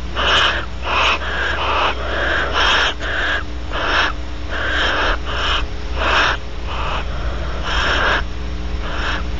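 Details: Barn owl pair at Audubon Starr Ranch, California, after mating as the male preens the female; harsh wheezy hissing bursts come in uneven runs, with a constant low electrical hum.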